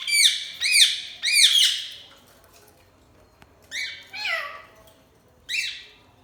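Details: Parrot squawking loudly: three rapid harsh, arching screeches, then a pause, then a few more grating squawks with one falling note, in a quiet room.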